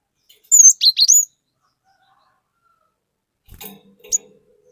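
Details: Cinereous tit in full, varied song used as a lure: a short run of four high, sharply slurred whistles, then silence and a few soft clicks and rustles.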